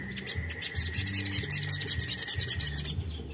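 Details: Ruby-cheeked sunbird; rapid song; stimulating other sunbirds to sing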